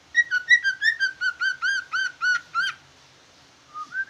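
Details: Large green leafbird singing in a chattering style likened to the sooty-headed bulbul: clear, ringing whistled notes repeated about three per second, gliding up and down, then a pause and a short rising whistle.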